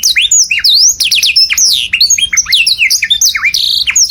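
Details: Canary singing loudly so other birds can imitate it: a busy jumble of varied whistled slides, upward and downward, with almost no pauses.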